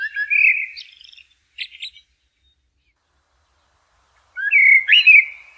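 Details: Blackbird singing outdoors: a low fluty warbled phrase with a squeaky ending, a short pause, then another mellow rising-and-falling fluted phrase after a few seconds of silence.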